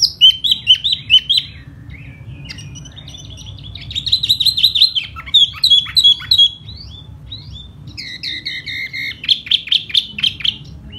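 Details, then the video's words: Spring song of a laughingthrush, sung while fanning its feathers: bursts of varied whistles and buzzy chatter separated by short pauses, ending in a fast run of repeated paired notes. "Mùa xuân xem chú tiểu mi hót xoè rất hay"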